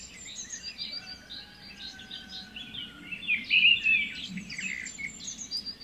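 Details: White-rumped shama singing as a lure for a stressed bird reluctant to sing. Ongoing bright twittering builds to a loud flourish of sharp whistled notes midway, over faint background noise.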